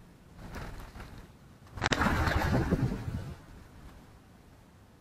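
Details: Wind buffeting and handling noise with a sharp knock near two seconds, then a burst of rustling, and no animal calls.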